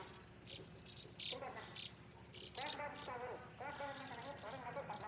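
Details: White-cheeked starlings feeding, quickly eating everything up, give harsh rasping bursts mixed with creaky, nasal chattering notes, several overlapping calls about once a second.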